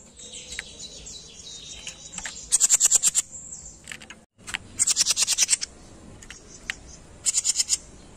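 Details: A small 'jenggot' songbird singing actively, offered as a master recording, gives three bursts of rapid, very high chattering trills, each about a second long, between thin sustained whistles.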